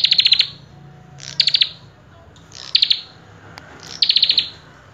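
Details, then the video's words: Common tailorbird repeating clipped bursts of rapid high notes, each cluster of four to seven notes trailing off slightly, spaced about one and a half seconds apart, with a quiet humming background. "Prenjak Kepala Merah Gacor Full isian"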